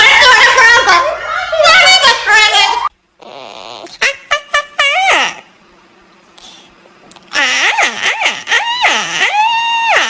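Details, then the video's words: Pet blue-and-gold macaw talking indoors: loud, rough, voice-like harmonic phrases, a pause, a few short clipped syllables, then drawn-out wavering harmonic utterances rising and falling in pitch. "Macaw Parrot Amazing Talking"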